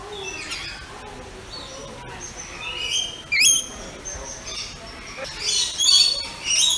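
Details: Pet rainbow lorikeets at play make a busy run of squeaky, sliding chirps and shrill notes, ending in louder rasping screeches.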